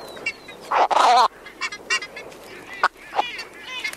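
An ibis gives one loud, harsh, nasal honk, then a string of shorter gruff croaks at uneven intervals over a faint background hiss.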